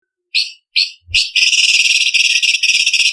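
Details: Cucak cungkok leafbird in a training recording for song contests, with sharp varied 'tembakan' phrases: two short clear whistled notes, then a loud rapid buzzy trill of fast pulses held for about two seconds.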